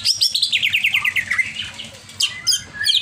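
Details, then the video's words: Agitated greater green leafbird singing a fast, high series of rhythmic repeated chirps that step downward in pitch, followed by a brief lull and then sharp, high rising and falling notes. "CIRI CUCAK IJO OVER EMOSI"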